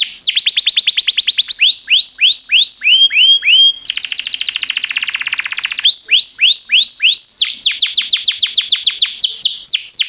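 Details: A canary sings tours meant to train young canaries: rapid falling chirps, slower curved whistles, a bright dense buzzing trill, then more whistled slurs and a fast chirping series.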